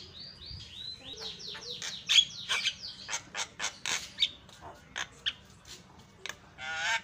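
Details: Javan myna in full song, a lure recording meant to provoke silent birds: harsh squawks and sweeping whistled notes, then a run of loud rasping bursts roughly every half second, ending in a drawn-out grating call.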